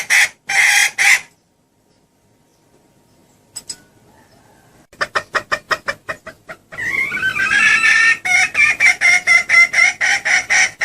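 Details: Female red junglefowl lure call meant to draw males close: a short burst of harsh clucks, a quiet gap, then a quickening run of sharp, repeated clucks ending in rapid, dense notes.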